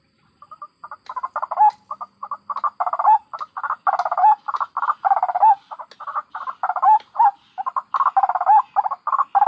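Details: White-breasted waterhen adults and chicks recorded in the wild, their ngekek calls used as a trapping lure: harsh, nasal croaking notes repeated rapidly and steadily, about three per second, in a continuous run with no other clear sounds.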